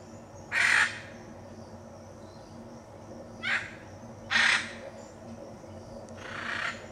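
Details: A hyacinth macaw in the Pantanal, Brazil, gives four loud, harsh, grating squawks spaced unevenly over several seconds, over a low steady background hum.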